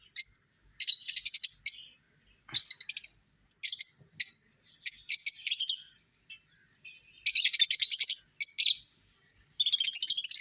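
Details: Lovebird chattering comes in harsh, high, rapidly pulsed bursts of about a second, broken by brief pauses across ten seconds.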